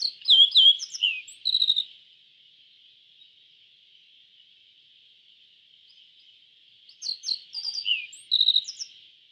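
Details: Yellow bunting: two bursts of high, thin, quick chirping notes with some downslurred whistles, one at the start and another after about seven seconds of quiet, over a steady high insect-like hiss.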